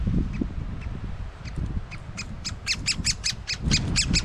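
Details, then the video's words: Young great spotted woodpeckers with an adult, filmed up close with a GoPro. The chicks give a run of high, harsh, squeaky calls about five per second, with low rumbling and knocking noises underneath. "Great Spotted woodpecker and chicks"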